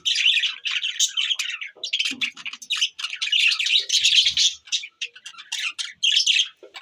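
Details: Budgies chirping, recorded 25 December 2023: dense, continuous chattering warble of high, scratchy chirps and squeaks from several birds, with hardly a pause.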